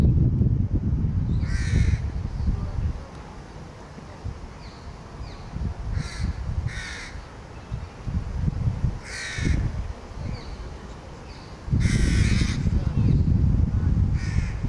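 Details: A young crow begging from another young crow; harsh nasal calls come in short bursts around 1.7, 6, 7, 9 and 12 seconds, some doubled, over heavy low wind rumble.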